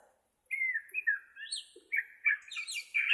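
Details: White-rumped shama from Borneo, for training captive shamas: sweet descending whistles followed by quicker, rising high notes and a final burst of bright, jumbled twittering.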